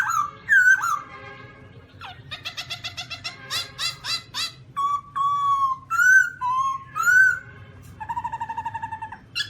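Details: Black-throated laughingthrush mixing rapid, rattling, harmonic stutters with long level whistles and slurred phrases, ending in a quick, regular pulsing trill.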